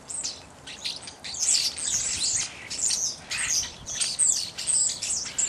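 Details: Several evening grosbeaks calling together, a dense run of sharp, high chirps and short whistled notes with barely a pause, over light background hiss.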